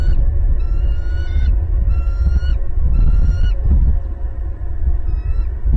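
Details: Bald eagle at a Southwest Florida nest on 28 December 2021, the day the second of two eggs hatched, a day after the first chick. High, thin whistled notes with a clear overtone, repeated in short bursts, over a steady low wind-like rumble.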